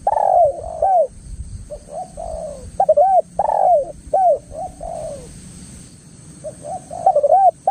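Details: Spotted dove calling vigorously as a lure to make other doves respond and to tutor doves kept at home: repeated phrases of mellow, rolling coos, rising then falling, roughly every second, over low background rumble.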